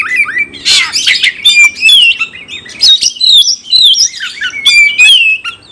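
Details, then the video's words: Caged Oriental magpie-robin in fighting-style song, pouring out dense bursts of sweet sliding whistles mixed with scratchy squawks and rapid chirps, phrases broken by short gaps roughly every second or two. "GAYA TARUNG NYEBELIN BIKIN KACER LAIN JATUH CINTA"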